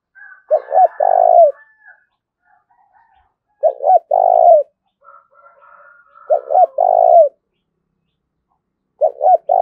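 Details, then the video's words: Spotted dove cooing in the Vietnamese thúc and gáy gọi styles, with a thổ đồng voice. Three low, hollow coo phrases come about every three seconds, each a quick stutter of short notes and a longer drawn-out coo. Fainter higher calls sound between them. "Tiếng cu gù Thúc và Gáy Gọi"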